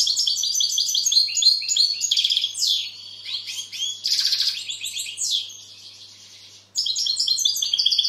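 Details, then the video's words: European goldfinch pouring out a fast, high, liquid twittering song of rapid chirps and buzzy trills, then a short drop in volume and a brisk return of tinkling notes; faint low hum beneath. "Goldfinch bird singing the best sounds (chirping)Щегол поет / Τραγούδι καρδερίναςGoldfinch sjunger"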